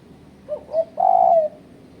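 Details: Spotted dove call used as a lure to challenge rivals: two short soft coos followed by a longer, louder drawn-out coo, low and mellow, with faint high chirps from other birds in the background.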